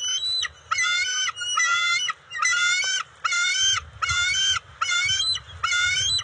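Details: At the NCTC nest on June 29, 2021, two juvenile bald eagles squabble over delivered eel and fish; loud harmonic squealing notes repeat roughly once a second, with low rumbling background noise.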